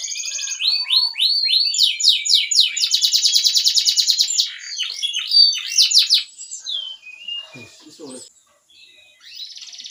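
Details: Canary in loud song: fast chirping notes run into a long, dense, buzzy rolled trill, followed by quick sliding whistles, then quieter scattered notes and a soft trill near the end.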